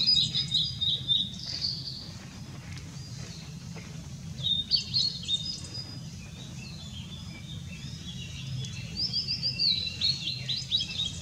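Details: Blue-and-white flycatcher song from 6 May 2016, three separated bursts of bright whistled notes and short trills, with quiet gaps between phrases and a constant low environmental hum.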